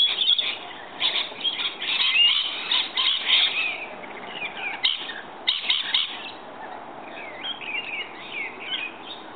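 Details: Rainbow lorikeets coming in to be fed in the morning: bursts of shrill screeching chatter from several birds, broken by brief quieter gaps, with softer scattered chirps toward the end.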